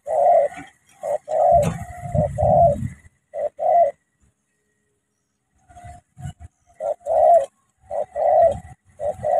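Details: Spotted dove of Cà Mau, a decoy bird facing a wild rival, cooing in short hollow low-pitched notes grouped in bursts, about one per second, with a silent pause midway and some low rustling.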